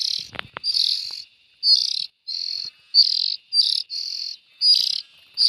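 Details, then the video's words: Rough, buzzy rasping from young bulbuls in a quick run of about eight calls, opening with a brief thump. "Tiếng chim chèo non"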